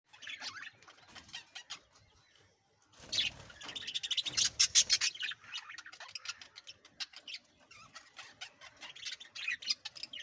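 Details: Hagoromo budgerigars (Melopsittacus undulatus) chatter with bright, rapid chirps and scratchy warbles, with a louder burst in the middle.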